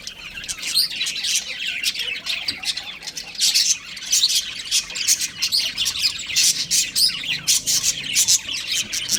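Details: Pet budgies, a breeding pair at home, chattering busily. Sharp, bright chirps and harsh squawks pile on one another in quick pulses with almost no pause.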